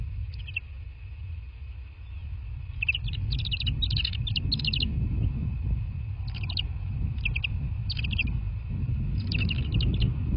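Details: Bald eagles at a nest in southwest Florida, night of 03/02/2024 at 22:40, give several bursts of quick high chittering notes, clustered in groups, over heavy low background rumble and a steady hum.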